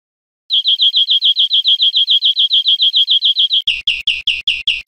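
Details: Greenfinch song on an educational recording meant to teach caged birds: a long, steady trill of rapid identical notes, shifting near the end into louder, harsher, more spaced chirps.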